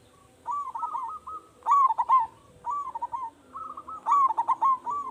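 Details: Local zebra dove with a strong voice, used to coax other doves into calling: a continuous run of rolling, bouncy coos in several linked phrases with brief gaps, over a faint low hum.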